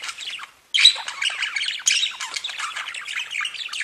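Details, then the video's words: Budgerigars singing and tweeting: a near-continuous rush of raspy chatter and squeaky chirps after a brief pause at the start. "Веселое пение волнистых попугайчиков / Funny singing of wavy parrots"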